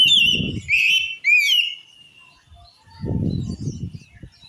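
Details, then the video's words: Oriental magpie-robin whose song is claimed to enrage other magpie-robins: a couple of seconds of rapid, rolling whistled notes and upward sweeps, followed by quiet and a low rumbling background noise. "Suara Kacer Ini Mampu Bikin Kacer Lain Auto Ngamuk"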